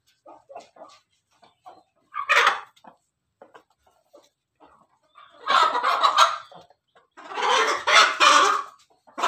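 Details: Ayam Ketawa chicken crowing in the afternoon: a short raspy burst, then two long crows of rapid, rough, pulsing syllables lasting about one to two seconds each, with faint scattered clucks between.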